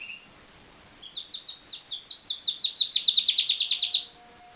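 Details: A captive-bred pied Timbrado canary sings a series of clear chirped notes, about five per second, that grow louder and quicker into a dense bubbling trill before stopping abruptly.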